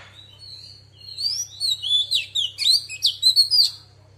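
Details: Female Oriental magpie-robin singing a wild-style song to stir males: a soft thin whistle builds into a fast string of bright sliding notes and sharp chips, backed by a steady low hum.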